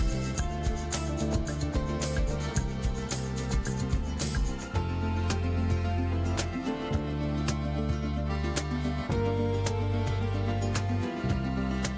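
Only steady instrumental music is heard, with sustained low tones and percussive accents and no animal calls.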